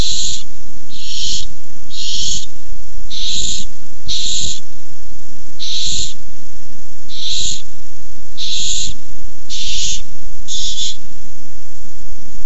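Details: Barn owls in a food fight over a tiny mouse on 6-4-15: about ten harsh, broadband hissing screeches, each under a second, repeated roughly every second over a low steady hum.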